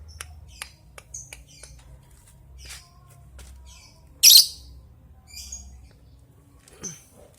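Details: Lovebird giving a long 'ngetik' ticking call to summon an opponent, used as a training lure: sparse dry ticks and short squeaky chirps about every half second, one loud harsh screech midway, and a faint low hum underneath.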